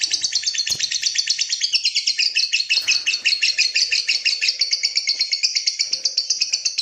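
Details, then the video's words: Lovebird's long "ngekek panjang" trill, used to train and provoke other lovebirds: a loud, unbroken, rapid chattering run of harsh high notes lasting nearly seven seconds, with a sharp click near the start. "SUARA MANCING BURUNG LOVEBIRD NGEKEK PANJANG,MELATIH BURUNG LOVEBIRD NGEKEK PANJANG"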